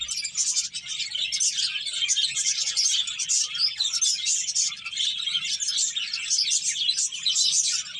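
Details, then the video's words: Many finches eating and playing, filling the air with a steady stream of bright, overlapping high chirps and trills, a faint low hum beneath them. "Cute Birds Chirping Sounds | Beautiful Finches Eating and Playing"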